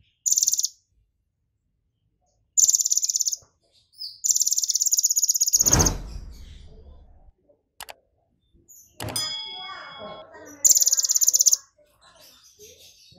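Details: Brown-throated sunbird, excited, repeating very high, rapid, grating trills that mimic golden grasshopper song, in bursts of under one to two seconds, interrupted midway by a loud low thump and rushing noise.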